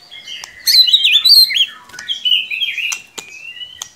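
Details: White-rumped shama singing as a lure to make a young bird start singing: loud looping warbled whistles and trills, then a long smooth rising whistle, with sharp clicks.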